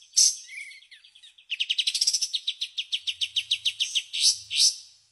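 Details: White-shouldered triller opening with harsh notes and a brief thin whistle, then launching a fast 'tembakan' trill of sharp repeated notes that slows slightly, closing with two rasping bursts; a faint low hum underneath.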